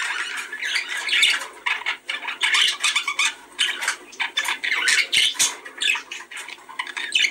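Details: Budgerigars chattering in a sound used to encourage breeding: continuous busy warble of twittering notes, scratchy clicks and short squeaks, rising and dipping in loudness without a real pause.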